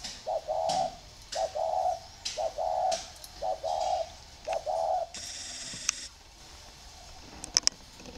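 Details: Spotted doves in two cages, one of round bamboo and one of iron, cooing; five soft, rounded phrases come about once a second, then the cooing stops and rustling and faint clicks follow.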